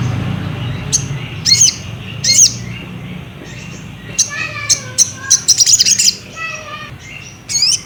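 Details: Ruby-cheeked sunbird singing as a lure to provoke another bird into song: scattered thin, very high chirps and sharp upslurred notes, some in quick clusters, with a few lower whistled notes and a faint low hum beneath.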